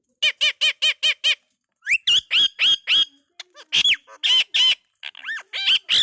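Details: Indian ringneck parakeet talking: six quick evenly spaced harmonic notes, then a pause and a run of bright, rising and falling speech-like syllables in high squawky tones.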